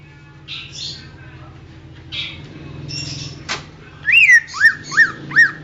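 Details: Greater green leafbird song used for training songbirds: after soft rasping bursts, four loud clear whistled notes, the first rising then falling, the rest short slurred drops, over a low steady hum.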